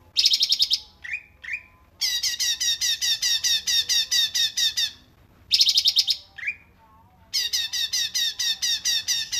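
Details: Cungkok filler song for training cage songbirds: fast runs of harsh repeated notes broken by brief rising whistled squeaks, the pattern repeating twice.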